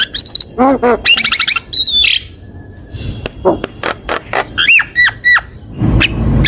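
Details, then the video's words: Javan myna in a super-chatty 'gacor' lure recording: squeaky harmonic notes, short rising and falling whistles, a steady whistled note, then a string of sharp clicks and a few high whistled bends. "ISIAN PANCINGAN SUARA BURUNG JALAK KEBO//SUPER GACOR MASTERAN JALAK KEBO"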